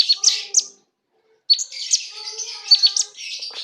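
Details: Common iora singing as it puffs itself up: high sharp chirps and quick upward whistles, a brief pause, then a jumble of bright notes and trilled chips.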